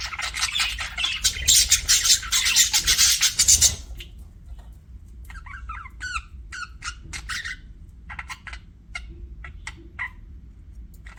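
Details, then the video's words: Budgerigars as pets: a loud scratchy chattering burst for about four seconds, then quieter separate clicks and short chirps spaced roughly twice a second. "CUTE PET BUDGIES"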